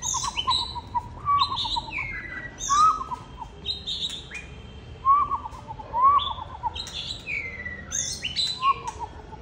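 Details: Oriental magpie-robin singing with display, a varied whistled song of sliding notes and sharp high chips in repeated phrases a few seconds apart.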